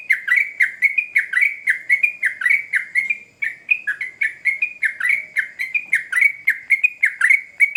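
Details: Sooty-headed bulbul singing agitatedly, quick to respond to a lure recording: a steady series of short, sharp down-slurred chirps, about two per second, each with a bright clicky edge, repeated without pause over a quiet background.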